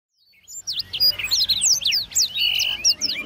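Black-throated Canary song: a fast, jumbled stream of high sweet chirps, slurred whistles and buzzy trills, with other songbirds overlapping in a busy competition setting.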